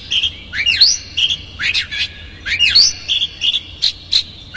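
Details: Oriental magpie-robin lure song in the konslet style, used to anger a rival and make it spread its tail. Sweeping upward and downward whistled slurs mix with short flat whistles and raspy notes in a lively repeated pattern.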